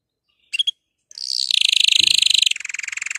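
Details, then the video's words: A canary sings to prompt other canaries to sing, giving two quick high chips, then a fast, bright rolling trill that shifts midway to a slightly lower, steady tour. "canari chant ساعة لتحفيز الكنار على الغناء"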